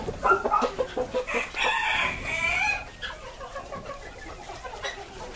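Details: Silver Spangled Appenzeller Spitzhauben chickens, a purebred breeder flock raised on a hatchery farm: a run of short clucks, then a loud harsh crow-like call from about 1.5 to 3 seconds, followed by quieter scattered clucking.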